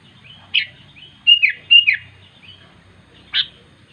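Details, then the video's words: A sooty-headed bulbul calls to its companions with sharp chirps and quick slurred double notes, a thin steady whistle-like tone running between them, then a pause before one final chirp; quiet background hum. "Suara Burung Kutilang Memanggil Teman"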